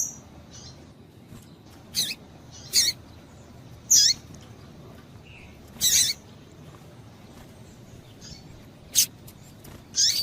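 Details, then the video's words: Female double-collared seedeater calling to rouse the male: sharp, high, scattered chip notes, single or paired, spaced irregularly a second or more apart over a steady low background hiss. "Piado de Fêmea de Papa capim é Fêmea de Papa capim Chamando Para Esquentar Papacapim"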